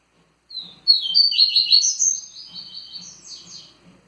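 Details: One long Tui Tui phrase from a kept double-collared seedeater: loud, quick, high chirped notes that slowly fade over three seconds, with faint low ticking sounds in the background.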